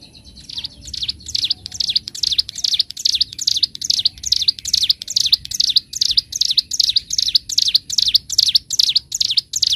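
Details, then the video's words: Bar-winged prinia singing in the ngebren, gacor manner favoured for training birds: a long, steady series of high, sharp, repeated notes, roughly two or three a second, with a slightly ringing, metallic tone. "Masteran Burung CIBLEK GUNUNG (CIGUN) Gacor N3mbak, Ngebren"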